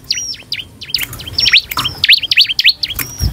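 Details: Bar-winged prinia in full song, used as a lure to draw responses from other prinias, singing a rapid, energetic string of high, sharply swooping chirps, roughly two per second, over faint background hiss.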